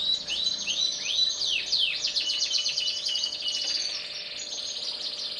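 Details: Black-red and yellow canaries: a few arching whistled notes open into a rapid, fluttering high trill that carries on steadily and softens toward the end.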